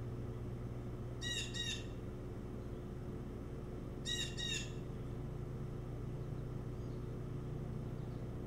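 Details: At a nest on Hog Island near Bremen, Maine, at night on 25 August 2018, an osprey gives two short bursts of shrill, whistled chirps about three seconds apart over a steady low hum; osprey.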